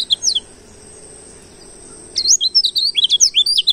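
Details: Pleci ngalas, the wild oriental white-eye, in a lure recording: a few high chirps, nearly two seconds of quiet hiss, then a quick bright series of sweeping whistled notes, about four a second.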